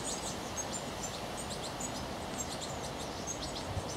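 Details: An adult European goldfinch and its fledgling chicks twitter in a UK garden. Several birds overlap in thin, tinkling high notes in quick scattered bursts, over a steady low hiss and rumble.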